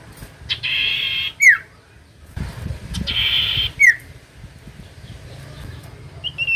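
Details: Common iora song, used as a lure to spur reluctant irora to sing: two harsh buzzy bursts, each ending in a sharp downslurred whistle, about two seconds apart, over low rumbling background noise.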